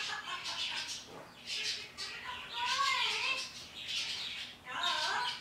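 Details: A parrot chatters at the birds outdoors in the morning, giving wavering, voice-like sounds between bursts of high, raspy chirps.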